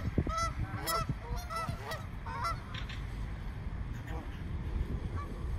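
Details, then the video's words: Frightened flock of more than a hundred swans in a small park: overlapping loud nasal honks with rich harmonics crowd the first half, fading into a steady roar of background noise and distant calls. "Flock of frightened swans"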